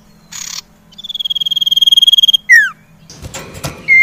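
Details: Common iora lure song for birds that stopped singing: a brief harsh burst, then a fast run of trilled whistled notes on one pitch, a falling slurred note, and scratchy mixed sounds after.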